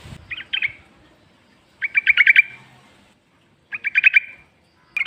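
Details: {'caption': 'Sooty-headed bulbul singing in the wild, used as a lure to get other bulbuls to answer: short bursts of quick, buzzy pulsed notes repeated about every two seconds, with quiet gaps between.'}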